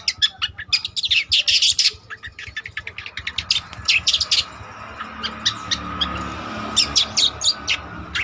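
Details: Trotol long-tailed shrike singing actively for use as a lure: fast bursts of clicking, chipping notes that break into scattered sharp ticks, with a faint background murmur.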